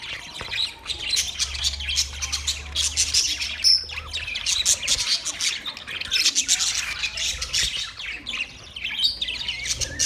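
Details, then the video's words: Pet budgerigars twitter and warble in a busy flock chorus, sharp clicking chirps and brief whistled notes overlapping throughout, with a faint low hum in the background. "Relaxing Parrot birds singing | Budgies chirping sounds"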